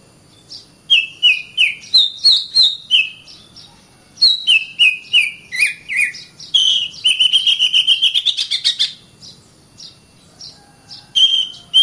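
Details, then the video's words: Oriental magpie-robin song used for training other birds, with repeated short whistled notes in pairs, then a rapid rattling trill over a steady whistle, ending in sparse notes. "Burung Kacer"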